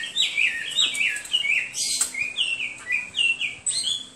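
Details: Hwamei singing a run of clear, varied whistled phrases, each short and slurred, some rising and others falling, delivered one after another with hardly a pause.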